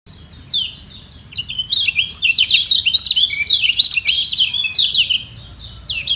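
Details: Lemon-bellied white-eye (kecial kuning) singing in a vocal battle to keep its top position. A fast, tumbling warble of high, sliding chirps and trills starts hesitantly, then runs continuously for about five seconds.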